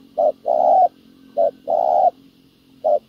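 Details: Spotted dove (Spilopelia chinensis), a wild-caught field bird, cooing low and hollow: a short note then a longer drawn-out one, in phrases about every 1.3 seconds, over a faint steady hum.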